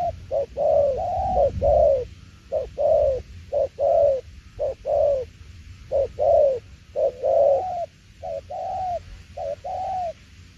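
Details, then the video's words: Spotted dove giving đồng tiểu liên nước cooing: rapid, slightly uneven strings of hollow coos. Brief clipped notes alternate with longer arched ones in quick succession, and a faint low rumble sits beneath them. "Đồng tiểu liên nước chơi quá hay luôn ae ơi"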